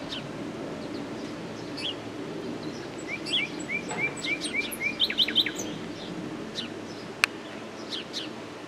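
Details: Common nightingale singing amid constant low background noise: six rising whistled notes in a steady series, then a fast, higher rattling phrase, with scattered high notes and one sharp click.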